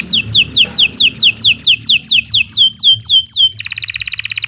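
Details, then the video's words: Canary master song for training birds: a long series of about thirteen high downward-sweeping whistles at roughly three per second, switching abruptly into a rapid buzzy trill, with a soft low background hum. "Kicau Burung Kenari 139 II LUAR BIASA GACOR PANJANG"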